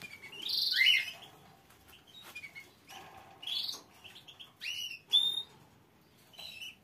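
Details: A green canary gives bright, high chirps and quick warbled phrases in short bursts with pauses, over a faint background hiss.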